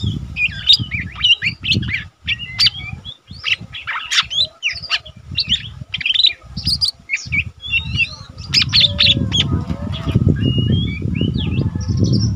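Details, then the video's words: Lesser green leafbird, a caged mini cucak ijo recorded as a tutor for training other birds, giving a busy stream of quick chirps and whistles, partly masked by heavy low background noise. "cucak ijo mini bahan udah rajin bunyi cocok untuk masteran burung cucak ijo mini"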